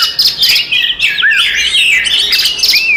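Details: Oriental magpie-robin fighting song used to rouse rival magpie-robins: continuous warbling mix of high chirps and looping whistles, including a clear arched note that rises and falls, ending with a rising whistle.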